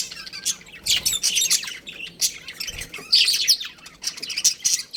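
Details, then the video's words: Breeding pair of budgerigars kept as pets, chirping constantly: dense high warbling chatter with scratchy squawks, bursts repeating with brief pauses. "Adorable Budgies Chirping Sounds"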